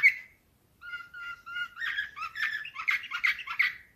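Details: A canary of the slavujar song type sings in a small room: a lone bright note, then steady whistled tones that break into fast buzzy rolls and rapid repeated bursts.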